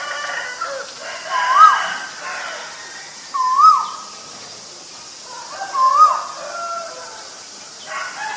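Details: A male Asian koel gives three clear, upslurred whistles roughly every two and a half seconds, with faint other bird sounds and a broad hiss behind.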